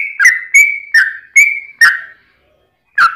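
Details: Yellow-vented bulbul fighting song with long rolls, used to lure other bulbuls to reply: five quick whistled notes, each slurring down or holding level, about one every half second, then a pause and a final note.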